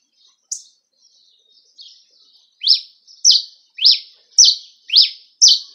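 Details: A cravina from Brazil's Rio Grande do Norte sings campina-style. A few soft, scattered notes open, then six loud, high, slurred notes roll out in a regular beat, roughly two each second.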